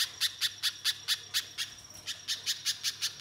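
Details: {'caption': 'Spiderhunter chipping to prompt other birds to sing: loud, clipped high notes repeated about four a second, a short gap, then the series resumes.'}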